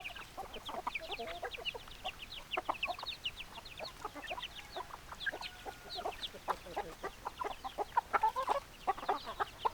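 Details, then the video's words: Backyard chickens giving a dense stream of short, sharp clucks and chirps that overlap steadily throughout, with a few louder bursts near the end. "Chicken Sounds, Backyard Chicken"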